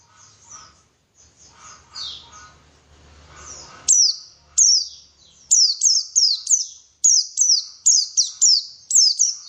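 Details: White-eye song used as a lure to make birds sing vigorously. Faint twittering at first, then a steady series of loud, piercing, high downward-sweeping chirps, often in quick pairs.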